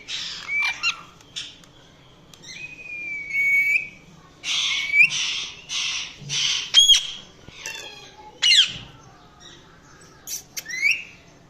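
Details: Indian ringneck talking parrot making different sounds: a long level whistle, noisy squawks repeated about every second, sharp clicks and a final rising whistled note.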